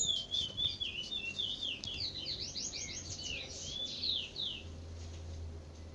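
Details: Chestnut-bellied seed finch at dawn, its song in the style called trinca bico de veludo: a run of quick, sweeping whistled notes and fast downslurred trills, high and varied, with a low steady hum in the background.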